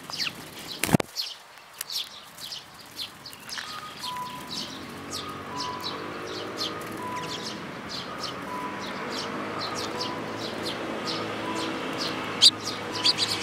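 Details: Eurasian tree sparrows with chicks, recorded 13 May 2018; bright, short chirps repeated irregularly through the clip, set against a low steady hum and faint sustained tones.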